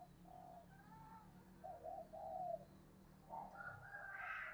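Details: Decoy spotted dove, a caged lure bird used to draw in other doves, voice style called giọng thổ sấm; soft low cooing notes midway, then a brighter rising phrase at the end over a steady low hum.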